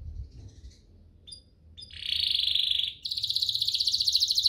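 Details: Canary song used to provoke other canaries into singing: faint scattered notes, then a loud steady trill and a higher, rapid pulsed roll carrying to the end.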